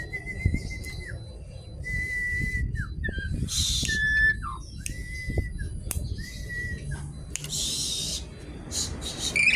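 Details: Javan pied starling in lively song, noisy as if seeking a rival: long level whistles, each ending in a falling slur, repeated about every one and a half seconds between harsh hissing bursts, with faint background thumps.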